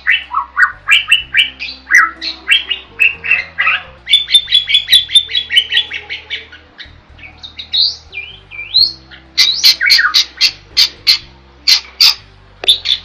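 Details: A starling, or jalak, in strong, active song intended as master material: long sequence of whistles and chatters, a fast even-paced series of sharp notes midway, looping slurs, then loud clipped squeaks repeated rapidly, over a faint low hum.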